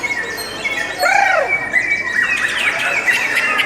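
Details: Lovebirds giving a sound praised as beautiful and long: a loud arched squawk cuts through mid-clip, then sharp chirps and twitters from several birds continue in a busy background chatter.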